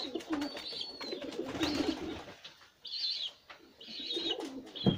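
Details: Kara Güllü Filo pigeon with young; low soft coos alternate with high thin squeaky chirps, likely from the young, plus wing and handling noises indoors.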